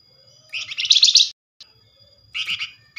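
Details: Flamboyan bird giving its fast nyerecet chatter to draw a reply from other Flamboyan birds; a long buzzy high trill lasting almost a second, then a shorter burst and the start of another.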